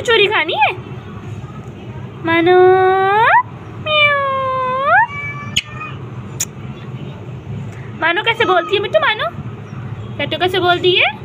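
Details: Parrot talking with its owner on a rooftop. Drawn-out tones curve upward in pitch, alternating with bursts of quick, warbling, speech-like chatter, against a low rumbling background.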